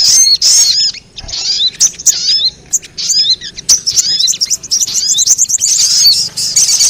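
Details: Lure recording of sogon for drawing wild birds: irregular bursts of high, shrill chirps and quick slurred whistles, building to denser chatter toward the end.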